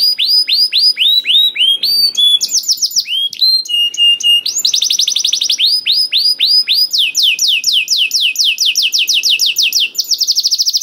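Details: Canary song used to prompt other canaries into singing: rapid loud trills of repeated downward-curving high notes, shifting between phrase types every second or two, with a long fast buzzy roll near the end.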